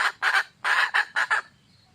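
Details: Wild red junglefowl hen calling for a male mate: a few broad, harsh clucking bursts, two close together then a longer triple run, fading into quiet background.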